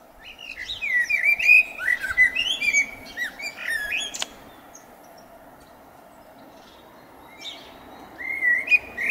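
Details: In spring, a blackbird sings a loud, flowing run of fluted, looping whistles that ends in sharp, high twitters, then goes quiet. A fresh warbling phrase begins near the end.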